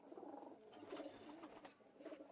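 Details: Pigeons at a home in Mujibnagar, where two birds were released: low, throaty cooing rolls on almost continuously in soft, warbling pulses, with a faint steady hum behind.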